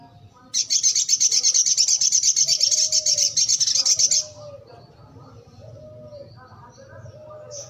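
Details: Sogok ontong in full, lively song: a sharp burst into a fast, high-pitched, rattling trill of rapidly repeated notes running about three and a half seconds, then stopping abruptly, followed by soft low whistled notes in the background.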